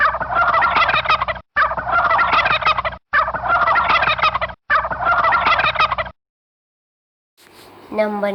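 A turkey gives four loud, rapid, rattling gobbles back to back, each about a second and a half long. After a pause, a voice begins to speak.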